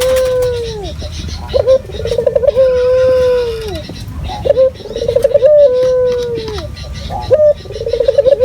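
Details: Local Indonesian puter dove used as a lure to make other doves call: drawn-out mellow coos, each opening with a quick bubbling tremolo and then holding a long level note that sags at the end, repeated three times.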